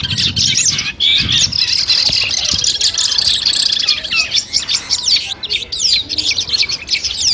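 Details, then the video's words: Long-tailed shrike (cendet) sounds gathered as training material to test a bird's nerve before a singing contest. Dense, unbroken high chattering, with many quick overlapping chirps and short whistles running through the whole stretch. "masteran kumpulan suara cendet tes mental sebelum lomba"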